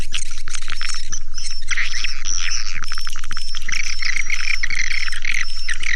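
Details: Swiftlet calling sound used as a lure: crowded, overlapping high chirps, clicks and thin whistles in a constant stream, over a rapid steady low pulsing hum.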